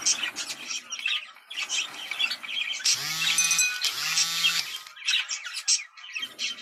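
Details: Budgerigar breeding-stimulation sounds: choppy chirping bursts, interrupted midway by two long, loud, buzzy, harmonic calls before the quick chatter returns.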